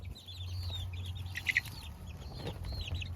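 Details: Baby chicks peeping, short high arched chirps scattered through the clip, a few louder notes near the middle, over a steady low hum.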